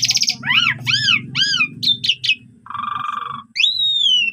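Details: Asian pied starling singing a varied training song intended to rouse other starlings: a harsh burst, three arched whistled notes, quick chirps, a long low nasal buzz, then a drawn-out falling whistle.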